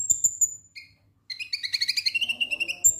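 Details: Ngek ngek song of a konin lovebird, used to spur singing: a thin high whistle and short squeak, a pause, then a fast run of about fifteen chirps rising and falling.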